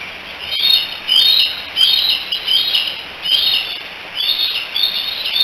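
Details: Three bald eagle eaglets at the Decorah nest on 16 July 2018, together and likely calling for their mother: high, thin chirping whistles in clustered bursts, about one burst every half second, over faint background hiss.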